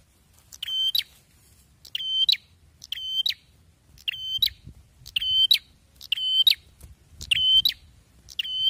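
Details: Bar-winged prinia singing loudly and persistently: short bright phrases, each a steady high whistle ending in a sharp flick, repeated about once a second, with a faint low rumble beneath.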